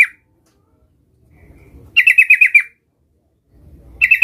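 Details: A young sooty-headed bulbul working on its rolling 'ngerol' song: a lone note, a silent gap, then a rapid run of about seven bright rolled notes, and the start of another.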